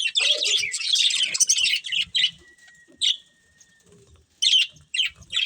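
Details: Breeding pair of budgerigars chirping, dense scratchy warbling chatter in bursts, a thin steady whistle in the middle, and quiet gaps between phrases.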